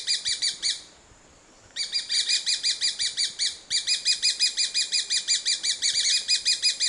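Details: Grey-breasted parakeet (Pyrrhura griseipectus) giving fast runs of sharp, high, chattering notes in rapid even pulses. A short silent gap follows the first burst, then long unbroken runs, against quiet background hiss.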